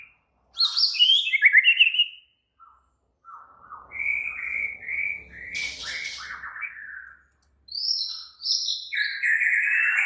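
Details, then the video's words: White-rumped shama singing in an agitated, active state: rapid bursts of high varied whistles and chirps, a pause, then a run of rich warbled phrases and short high sweeping notes. "Murai batu langsung EMOSI TERPIKAT suara murai batu ngamuk AKTIF ini"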